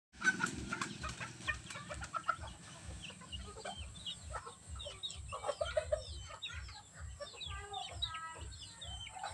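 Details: Chickens in mating season in the countryside, with low clucks at the start, then many short chirping and squeaking notes scattered throughout, over a steady pulsing hum.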